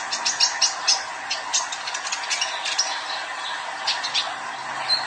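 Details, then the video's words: Young male sunbird, known locally as kolibri ninja, singing vigorously: rapid, sharp, high chirps and ticking notes in bursts, loud and close, with a faint low hum underneath. "KOLIBRI NINJA ANAKAN JANTAN GACOR"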